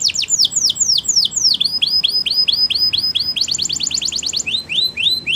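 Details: Song of a Waterslager canary used for training, built from repeated downslurred whistles at several pitches, a quick rapid-fire trill near the end and further sweeping notes.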